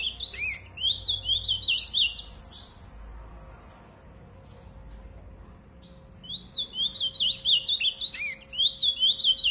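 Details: Ultramarine grosbeak giving two bursts of rapid, high, slurred warbling, separated by a quiet pause of about four seconds with a few soft clicks; a faint steady hum runs underneath.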